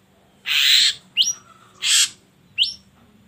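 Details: Ashy drongo song for provoking other birds to sing: two harsh rasping bursts, each followed by a quick rising whistled note, in a steady alternating rhythm.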